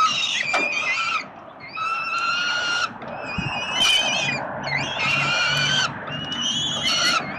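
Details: Peregrine falcon chicks begging as their father feeds them at the 367 Collins nest in Melbourne, Australia, 30 October 2021: loud harmonic wailing screams in bouts of about a second, separated by short quiet gaps.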